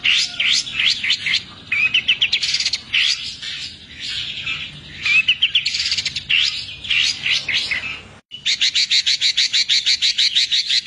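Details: Long-tailed shrike in full, lively song with a rich repertoire: rising whistled sweeps, buzzy rolling passages, a brief pause, then a rapid even rattle of sharp high notes lasting about two seconds.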